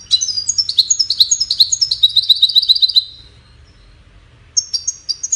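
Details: Melodious goldfinch song, used in courtship and communication. A three-second cascade of quick high chirps settles into an even trill of repeated notes, then falls silent before a few sharp notes resume.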